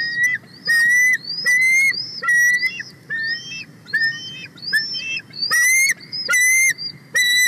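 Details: An excited female bald eagle on the nest calls loudly while a young sub-adult eagle passes close, 31 March 2024. Shrill, slightly rising whistles repeat quickly, broken by harsher stuttering chitters, with faint low background rumble.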